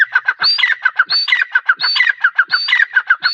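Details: Female grey francolin giving a fast, continuous run of loud, harsh, scratchy notes in a rhythmic pattern that repeats roughly every 0.7 seconds, with no pause for over three seconds.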